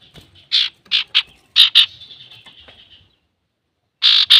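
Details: Male Common iora singing actively, a recording meant to provoke other birds into singing: several harsh, noisy chattering bursts, then a thin buzzy trill fading out, silence, and two more rasping notes.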